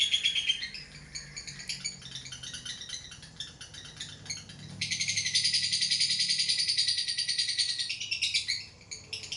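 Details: Lovebird delivering ngekek trill: scattered scratchy notes at first, then a loud sustained stretch of rapid buzzy chatter before breaking into uneven bursts.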